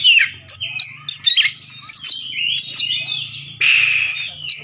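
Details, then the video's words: Poci-variety Oriental magpie-robin singing a nembak ngeplong contest song to stir rival birds: loud, clear whistled slides and flourishes with brief gaps, over a steady low hum. "Kacer Poci Nembak Ngeplong Gacor Ngobra Bikin Lawan Emosi"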